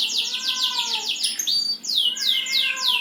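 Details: Fast series of high, downward-sweeping notes, about three per second, briefly broken by a flat whistle, accompanied by softer lower curved notes from another bird.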